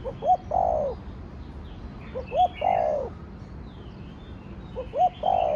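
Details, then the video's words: Thổ Đồng-style crowing of a spotted dove: three phrases, each made of two brief rising hoots and a sustained, buzzy, descending coo, spaced about two seconds apart, with light chirping from other birds. "Cu gáy giọng Thổ Đồng Thúc, Gù kích bổi nhanh nổi/ tiếng chim cu gáy giọng thổ đồng gáy, cu đất gáy"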